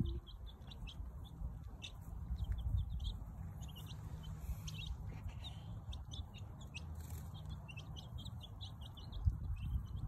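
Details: Newly hatched chicks exploring on their first day give a continuous scatter of short high peeps from several birds at once, over steady low-pitched rumbling background noise.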